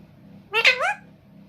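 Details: Talking parrot kept by a family, said to repeat "mitthu", utters one short two-syllable word, the first part sharp and bright, the second sliding upward, after a person speaks nearby.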